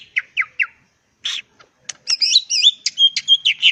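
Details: Greater green leafbird, a kept songbird in full song, giving a varied run: three quick downslurred chirps, a pause, then dense warbled, twisting whistles and trills in rapid succession.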